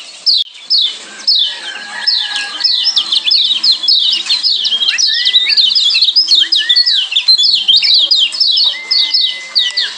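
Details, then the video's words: Lombok yellow white-eye (kecial kuning), a combined training song mix: rapid runs of high, sharp downslurred chirps repeated almost twice per second, broken by longer level whistles and short rising slurs, with faint low background sound. "Kombinasi Ciak Joss Kecial Kuning"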